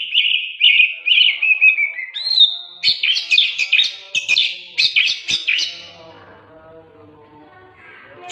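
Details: Training recording of oriental magpie-robin song: a series of fluty repeated notes sliding downward, a short level whistle, then dry rattling chatter that fades into near quiet with faint hum.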